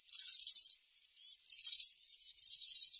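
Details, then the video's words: European serin singing in the wild: a very high, fast, jingling song of rapid buzzy trills and chirrups, a brief pause near one second, then a longer, continuous tinkling run. "طائر البسبوس السورا في الطبيعة_serin cini dans la nature"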